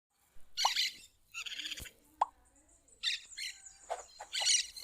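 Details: Plain parakeet calling in the wild in nature: harsh, raspy screeching bursts at irregular intervals, some short and some longer chattering runs, with a sharp knock or click in between and a quiet background.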